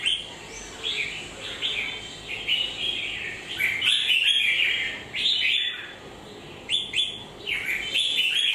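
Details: Red-whiskered bulbul, beak base molting, faint spot on one shoulder: bursts of sharp, slurred whistled phrases come in groups separated by quieter gaps, with low background hum.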